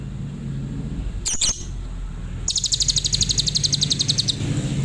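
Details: Adult lovebird singing in the tembakan Cililin style: a short burst of rapid, high, evenly repeated chirps lasting about two seconds, after a brief sharp squeak, over low background rumble.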